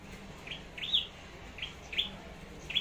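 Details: Red-headed flowerpecker (chim sâu đầu đỏ) singing in contest style, Long Thành, Vietnam, raised as a decoy bird: faint, brief, high ticking notes in quick pairs over a steady low hum.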